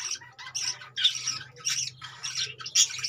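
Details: Caged budgerigars squawking continuously: rough, buzzy, high calls running into each other, with a steady low electrical hum underneath throughout.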